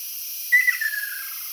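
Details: A single Ryukyu ruddy kingfisher call, recorded on an island in May 2022: a bright whistled start sliding down into a short, rattling descending trill, with constant high-pitched background hiss.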